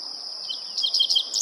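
A dickcissel gives a brief burst of high, sharp chirping notes over a steady, shrill insect drone.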